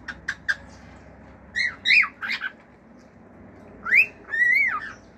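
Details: Pet male cockatiel singing, including clicks: three quick clicking notes, then short arched whistles and a longer rising-falling whistle pair, with quiet hum underneath.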